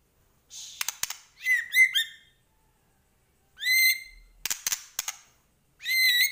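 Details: Medan-type white-rumped shama, chatty full-isian singing. Short bright whistled phrases, each a downslurred note with high overtones, broken by pauses and pairs of sharp clicking snaps.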